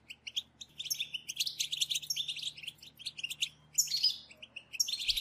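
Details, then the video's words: Group chattering of European goldfinches, meant to excite other goldfinches into song. Dense, high, rapid tinkling twitters and short buzzy trills run almost continuously, with a brief lull near the end before a final burst. "بتبتة جماعية لتحفيز الحسون على التغريد"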